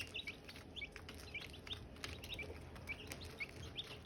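Silkie chicks peep constantly, with short, high, downward-slurred chirps overlapping several times a second over a soft background hiss.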